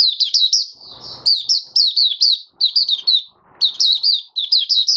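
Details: A caged oriental white-eye sings on the fifth day after monthly deworming, January 2022, giving quick clusters of high, piercing, zigzag chirped notes in bursts of three or four, with a short rustle early on.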